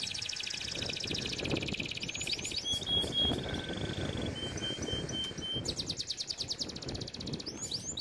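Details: Canary song meant for training canaries: buzzy fast trills and a flat sustained whistle, partly masked by steady broadband background rumble.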